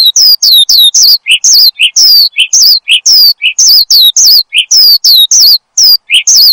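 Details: Gacor song of a caged Horsfield's bushlark, used as a lure and master song for cage birds: dense bursts of high, looping whistled notes, each phrase sliding down, with short buzzy trills between, repeated almost without pause.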